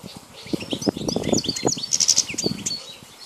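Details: Wild European goldfinch labelled Carduelis balkania, recorded in 2010: rapid high twittering chirps and short trills, with soft low thumps and rustling underneath.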